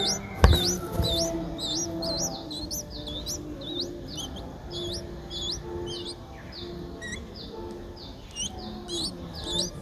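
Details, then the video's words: Seven-day-old Streak-eared Bulbul chick begging, Ubon Ratchathani, Thailand, 9 April 2023: dense series of thin rising chirps, nearly two per second, after a sharp knock at the start, with faint low tones beneath. "นกปรอดสวน อายุ 7 วัน : Streak-eared Bulbul (Pycnonotus blanfordi)"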